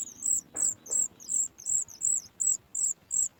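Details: A Sooty chat chick at the nest gives thin, very high begging chirps, about three per second in a steady run, on hearing its mother bring food; faint low background noise.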